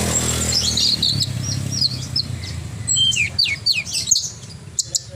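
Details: Horsfield's bushlark singing vigorously: high, thin chirps and quick rising and falling whistled sweeps, strongest in the second half, over a steady low rumble of passing engine noise.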